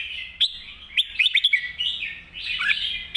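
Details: Short burst of red-whiskered bulbul master song: rapid chirpy whistled notes and a warbling run, with several sharp clicks and low background hum.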